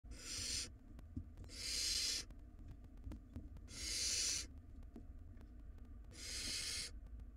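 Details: Wild barn owl nestlings in a monitored nest box, fighting over a very large rodent: four loud, harsh, broadband hissing screeches, each about half a second long, spaced roughly every two seconds over a low background hum.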